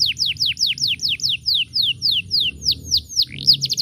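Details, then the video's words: Canary singing loudly, a melodious, varied songster kept to teach other birds: a series of clear downward-slurred whistles about four per second, ending in quick sharp notes, with a soft low hum behind. "Suara Burung Kenari Gacoorr"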